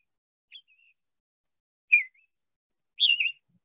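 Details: A Summer Tanager in central Alabama, just returning in spring, gives three short, burry, robin-like whistled phrases with short pauses about a second apart, each slurring up and down. No other sounds are heard.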